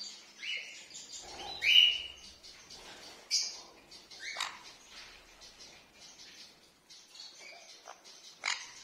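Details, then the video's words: A young red-factor sun conure gives harsh, raspy begging squeaks and chirps in quick irregular bursts, with a few louder shrill notes, while being hand fed. "Sunconure Bird Hand feeding"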